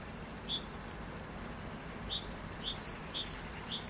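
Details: Great tit repeating its bright, high see-saw phrase, each pair of notes sharp and clear, several times in under four seconds over gentle background hiss.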